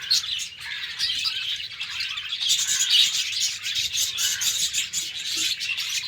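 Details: Morning sounds from a cage of pet budgies: quieter scratchy chatter at first, then a louder dense burst of overlapping chirps and harsh warbling from many birds.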